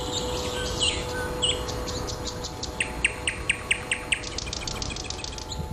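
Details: Thrush nightingale song with two slurred opening notes followed by a rapid, evenly spaced series of hard chock-like clicks, heard against constant electrical hum and rustling background noise.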